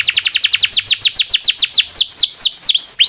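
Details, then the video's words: Domestic canary singing a long rolling 'cuit cuit' song used as a master recording to train and prompt other canaries; rapid descending whistled notes repeat about twice a second, then slow into broader swooping slurs near the end. "SUARA BURUNG kenari gacor cuit cuit ngerol panjang ini buat MASTERAN KENARI dan PANCINGAN KENARI"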